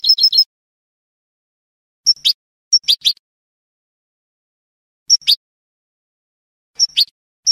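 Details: European goldfinch singing Spanish canto de salón-style song, brief, high, tinkling twitters in separate bursts every second or two, with clean silence between phrases.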